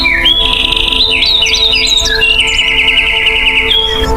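A Northern Mockingbird sings bright, varied whistled phrases that jump in pitch, then a fast, even run of repeated notes, over steady music tones.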